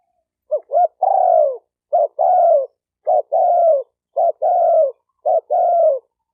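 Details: Spotted dove, recorded for training newly caught birds, coos steadily about once a second: each phrase a short choppy pair of notes then a longer soft falling coo, in an otherwise silent background.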